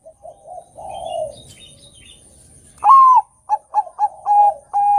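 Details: Bangkok-type zebra dove singing loudly, used as a lure to provoke other doves to sing. Soft low coos at first, then a loud upward-swooping note, a run of short clipped notes and two long, even, steady coos.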